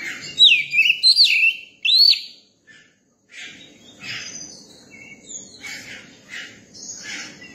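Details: Young Oriental magpie-robin, tame around people, sings loud clear whistles that swoop down and up. After a short pause come softer scratchy chips and twitters repeated about every half second.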